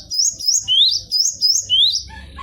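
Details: Cinereous tit (gelatik batu) song meant for training other birds: clear, loud whistled couplets, a high note followed by an upward sweep, repeated rhythmically about twice per second.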